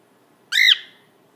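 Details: A female cockatiel, excited and watching out a window during a Colorado spring snowstorm, gives one harsh, arched squawk that rises and falls in about a quarter second; she had been chattering non-stop just before.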